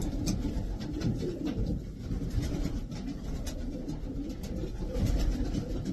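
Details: Racing pigeons of the Davy Van Roy line, a group of twelve top birds, give low murmuring coos that overlap continuously beneath a steady hum, with a few faint clicks and scrapes above.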